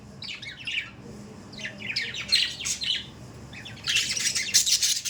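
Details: Pet budgerigars chatter in rapid scratchy notes, with a brief quiet spell, then a long loud stretch of dense, grating squawks.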